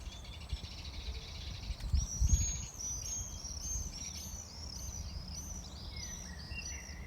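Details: Common swifts, summer visitors arriving in mid-May, giving their piercing screams in flight: a rapid series of thin, high, shrill screeches repeated several times a second over steady low rumbling background noise, with a brief bump of louder noise early on.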